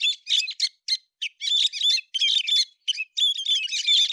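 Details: A héc xoan bird recorded September 2020 gives scattered short chirps at first, then a rapid, scratchy twittering run with whistled notes; clear and free of background noise.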